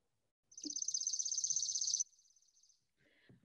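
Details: A chipping sparrow recording, played from a phone in Minnesota, where the species returns in April, gives a dry, rapid, high trill of even notes lasting about a second and a half. Faint room sounds and a short murmur follow.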